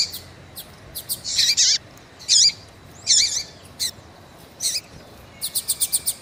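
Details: Female double-collared seedeater calling for a male: scattered sharp chirps and twisting slurred notes, ending in a quick run of six evenly spaced ticks.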